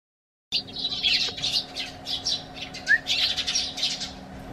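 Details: Eurasian tree sparrows in a garden, hopping onto a bench as the door opens and calling to the homeowner: a rapid burst of bright, high chirps and tweets, several overlapping, nearly continuous over four seconds.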